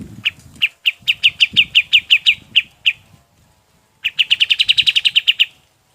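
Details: Golden-bellied gerygone singing, recorded as training material for other birds. It gives a series of sharp, high chips that speed up, then stops. After a pause, a faster, denser trill of chips follows. Soft low knocks sound underneath.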